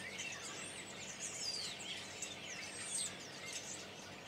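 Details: Common starlings by the thousands arriving from Spain in Berry during March 2012; thick continuous chatter with looping whistles and squeaks layered over one another at high pitch.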